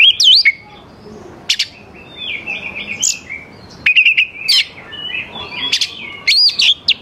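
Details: Oriental magpie-robin in full song, used to coax young forest birds to answer; sharp high whistles, wavering warbled runs and abrupt chirps, loud bursts alternating with softer rambling passages.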